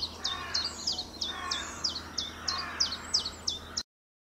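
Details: Common chiffchaff in April 2020 repeating quick, sharp high notes that alternate between two pitches, roughly three per second, for nearly four seconds before the sound cuts off.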